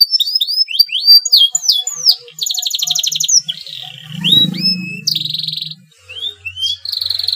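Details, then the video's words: Breeding male canary, singing to stimulate rival canaries: a quick series of rising and falling whistled chirps, then dense trills and held buzzy notes. A faint low hum sits underneath. "CUIT CUIT KENARI JANTAN BIRAHI UNTUK MERANGSANG BUNYI KENARI LAWAN AGAR MAU BUNYI DAN GACOR"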